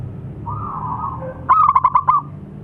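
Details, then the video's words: Calling local zebra dove, a persistent caller: a soft drawn-out coo, then after a short gap a rapid string of about six clipped, bubbling notes, with a low background hum. "Suara panggilan burung perkutut."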